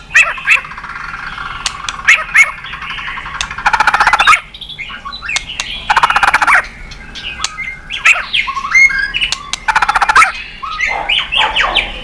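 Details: Energetic white-rumped shama singing to provoke rival birds, mixing dry buzzy rattles, squeaky whistled slurs and clicking notes in irregular bursts.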